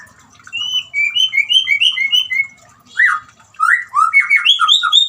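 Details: White-rumped shama, sung to coax a silent bird into singing: rich whistled phrases of slurred notes rising and falling between mid and high pitch, in quick bursts with short pauses.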